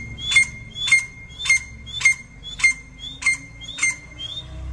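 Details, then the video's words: Partridge calling in a steady series, one sharp squawking note repeated about every 0.6 seconds, each a brief broadband burst with a clear high tone; eight calls, faint low rumble underneath. "Partridge sound"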